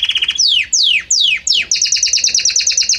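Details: Belgian canary singing: a brief trill, four long steep downward-swooping whistles, then a fast regular string of high repeated notes.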